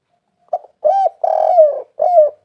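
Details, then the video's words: Tekukur, or spotted dove, cooing as a lure to get other doves to call: a brief opening note followed by soft, rounded coos, one drawn out and falling at its end, heard alone against silence. "tekukur gacor masteran burung juara"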